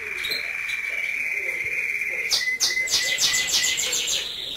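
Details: A male European goldfinch in an aviary, paired with a female canary during breeding season. It sings a long, thin, steady high whistle, then fast, buzzy, tinkling twitters repeated several times a second, with faint room noise.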